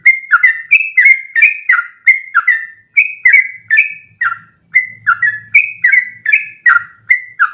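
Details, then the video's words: Tutor song of a sooty-headed bulbul meant to teach other birds long phrases: rapid chains of clear falling whistles, a brief gap midway, then more, over a faint low rumble. "MASTERAN burung trucukan terbaik biar ikutan ropel panjang 1 nafas"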